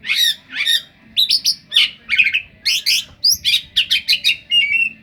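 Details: Oriental magpie-robin delivering a song packed with mimicked cetdet phrases, loud and fast: dense bursts of sharp rising and falling whistles and chattering notes, about three per second, with no pauses.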